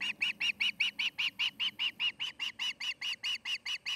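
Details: Osprey at its nest in Charlo, Montana, during the nesting season: loud, clear piping chirps repeated evenly, about four per second, throughout.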